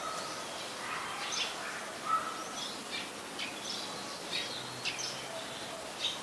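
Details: Malaysian pied fantail (Rhipidura javanica) calling in Ubon Ratchathani, Thailand, on 14 January 2021: thin, squeaky high chirps in short bursts about every second over a steady background hiss.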